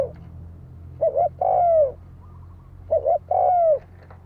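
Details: Spotted dove coo meant to provoke rival birds into fighting. Two phrases nearly two seconds apart, each a short quavering double note leading into a longer mellow coo that falls at its end, with a low background hum.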